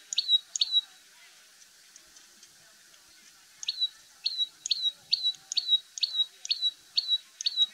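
A common tailorbird gives loud, sharp, high chirps in quick repeated bursts, about two a second, after a brief pause; nothing else is heard.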